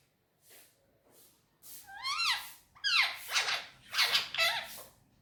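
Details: Pet Indian ringneck parakeet talking indoors in Urdu/Hindi while on a table: faint soft notes, then several loud arching squeals that sweep up and down, with harsh buzzy syllables between them.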